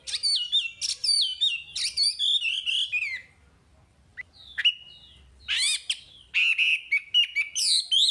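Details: Chinese hwamei song used in training caged birds: dense, varied whistled phrases with rapid slurs, a quiet gap with isolated notes, then another burst of rich repeated warbling.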